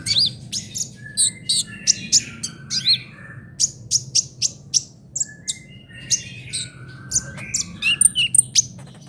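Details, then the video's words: Brown-throated sunbird delivering trotol-style song as tutor material for songbirds: long sequence of evenly spaced sharp high chirps and squeaky upslurs, quickening into dense twitters near the end. "KICAUAN KOLIBRI NINJA TROTOL UNTUK MASTERAN BURUNG BERKICAU"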